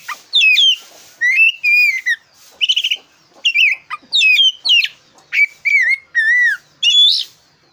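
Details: Oriental magpie-robin with black breast in loud continuous song used to stimulate competition birds: fast run of varied whistles, downslurred notes and brief stuttering trills with hardly any pauses.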